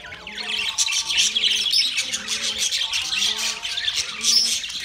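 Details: Several budgies share soft food, 3 October 2023, giving a constant stream of scratchy chirps and squawky chatter, busy and unbroken throughout, with a faint low tonal drone in the background.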